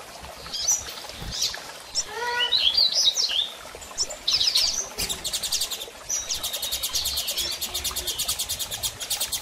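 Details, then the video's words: Female Double-collared seedeater in breeding condition, calling while soliciting mating: a few thin high whistled notes and short sweeping chirps, then a long run of rapid, evenly repeated dry ticking pulses. "Fêmea de Coleiro Piando e Fogosa e Pedindo Gala!!"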